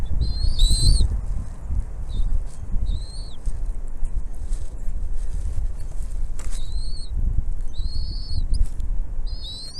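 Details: Bald eagle nest with the mother bringing food to her young: scattered high whistled chirps, some doubled, spread across several seconds amid strong wind noise and a sharp knock.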